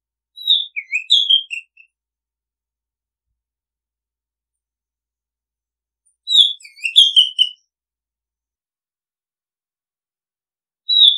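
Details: Oriental magpie-robin repeating a similar whistled song phrase about every six seconds. Each phrase has several slurred, clear notes, with long silent gaps between them.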